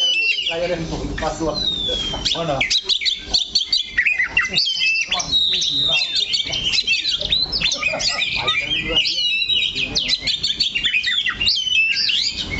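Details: Long unbroken song from a caged Oriental magpie-robin staying fixed on one spot of its perch: rapid, varied high whistles, trills and down-slurred notes pour out almost without pause.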